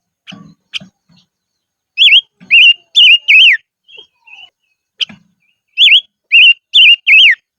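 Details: Decoy silver-eared mesia in the highlands sings two bursts of four loud wavering whistles with a short pause between them. Soft clicks and dull knocks come before and between the bursts.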